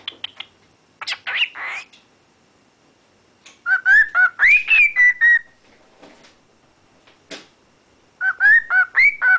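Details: A pet cockatiel, whistling and talking while keen on some corn, whistles a clear, warbling tune that rises and falls, with scratchy chatter between phrases.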